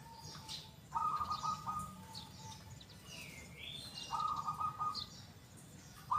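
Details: Zebra dove, local type, singing actively with a big, loud, clear 'kung' voice: soft low coos lead into two rolling trilled phrases about three seconds apart, while a high whistle from another bird swoops down and up.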